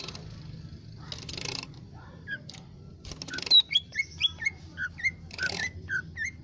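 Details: Lesser green leafbird twittering: after a quiet start with scratchy noises, a run of short chirps and quick whistled notes with higher squeaky accents and bursts of rustling.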